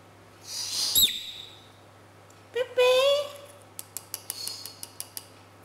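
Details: Pet male lovebird, kept indoors, saying its own name after hearing it spoken by a person. A human voice comes first, then the bird's squeaky, rising imitation, followed by a quick series of sharp clicks.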